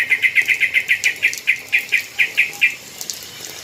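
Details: Yellow-vented bulbul (trucukan) after a rain-bath: a rapid run of sharp, even-pitched chip notes, about four each second, stopping after roughly two and a half seconds, over a soft hissing background.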